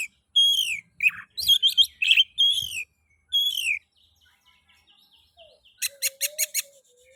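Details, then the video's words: Oriental magpie-robin song meant to prompt other magpie-robins into singing: a run of loud slurred whistles and rich warbled notes, then a pause, a faint low whistle and a quick burst of five sharp repeated notes. "Pancingan kacer ngeplay...cocok untuk merangsang bunyi kacer"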